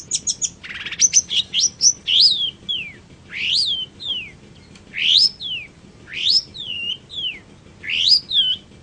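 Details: Long-tailed shrike singing for training other songbirds: a quick jumble of chips and a rasp, then repeated sweeping whistles that rise sharply and fall, each pair spaced about a second apart.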